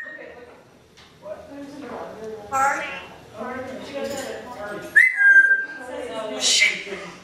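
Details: African grey parrot copying human cussing, burping and coughing: a run of speech-like phrases broken by a sharp whistle that drops slightly, then more chattering syllables.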